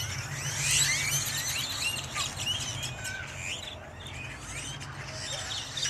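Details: Blackbirds massed at a Dallas Wal-Mart on Halloween 2022 keep up a dense chatter of short chirps and upslurred whistles, with a constant low rumble of traffic beneath.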